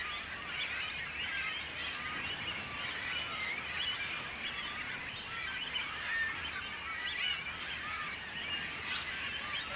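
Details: Cormorant chicks insistently demanding food from their parents: a dense, continuous chorus of overlapping high squeaky cries from many young birds, with no pauses throughout.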